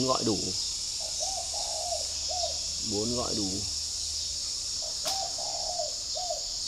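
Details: Caged spotted dove in a garden at Ba Vì, Hanoi, Vietnam, giving a full four-note cooing phrase in the morning: soft, hollow, mid-pitched coos in two series, interrupted by a man speaking. A steady high insect hum runs throughout.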